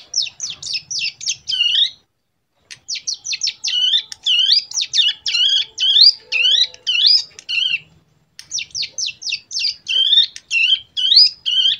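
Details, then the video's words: Practice song of a young caged prinia taught with Bar-winged Prinia recordings and AK47 fill: three long rapid strings of high, sharp chirps and slurred notes, separated by brief gaps. "Cigun Belajar Ngebren AK47 Ciblek"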